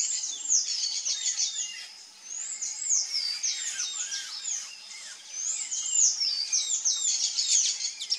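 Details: Sayaca tanager (sanhaço-cinzento) in a fast, high-pitched warbling song of squeaky slurred upsweeps and downsweeps, tightly packed and run together without pauses throughout.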